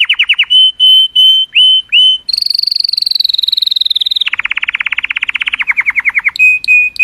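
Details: Singing color canary, song meant to stimulate females: a few separate dropping chirps, then a long high rolling trill that shifts lower into a fast pulsed trill, ending on steady high notes.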